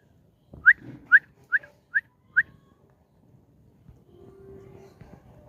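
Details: Lutino cockatiel kept as a pet, out on a sunny roof in the morning: five quick rising whistled notes about half a second apart, then quiet with a steady low tone and faint background noise.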